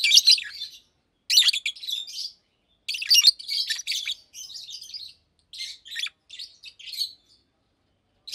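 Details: Fischer's lovebirds, a blue and a pastel green adult kept in cages, chirping during the day: loud piercing chirp bursts followed by softer, thinner twittering phrases.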